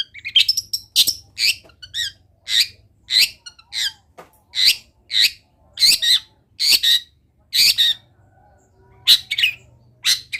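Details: Long-tailed shrike delivering a busy chattering song of imitated wild-bird calls, scratchy high notes and short harsh bursts repeated in quick succession, with a faint low hum in the background.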